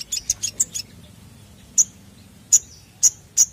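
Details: Crested jay, lure recording: a rapid cluster of five high sharp notes, a pause, then four loud isolated piercing clicks about half a second to a second apart.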